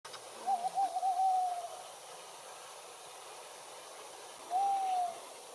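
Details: A tawny owl (Strix aluco) gives a wavering, quavering hoot that settles into a steady mellow note, then a shorter falling hoot about three seconds later, over a quiet night background.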